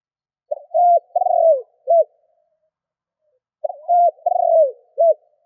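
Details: Spotted dove kept as a decoy to excite wild doves repeats its coo twice, roughly three seconds apart, each a hesitant lead-in, a long sliding coo and a brief end note, otherwise quiet.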